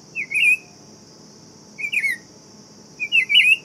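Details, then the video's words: Three warbling whistled phrases from a buff-throated saltator, each a rapid up-and-down slur, separated by pauses of over a second, with a constant high drone behind. "Canto do Tempera Viola Saltator Maximus"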